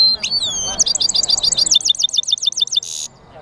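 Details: European goldfinch mule sings thin sliding whistles, then a quick series of repeated twittering double notes about four per second, closing with a short raspy buzz.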